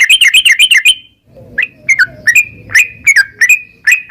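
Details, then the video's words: Yellow-vented bulbul, kept caged, giving a quick burst of chattering chirps followed by slower, separate, clear whistled notes spaced about half a second apart, used to stimulate caged birds to sing. "trucukan gacor NARUNG Ropel perangsan burung trucukan agar cepat bunyi dan gacor"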